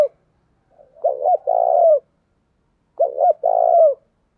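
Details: A decoy spotted dove, kept to lure wild birds, gives two low phrases about two seconds apart, each a pair of short hooting notes leading into a longer rolling coo.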